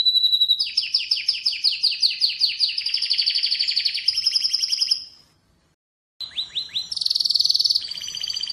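Atlantic canary singing high, rapid trilled phrases of repeated falling notes, followed by a brief pause and then more fast chirps and buzzy rolls.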